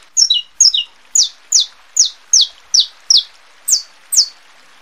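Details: Saffron finch song meant for warming up males, readying females and tutoring young: high, sharp descending chirps in a brisk run, opening with doubled notes, then single ones evenly spaced over quiet background.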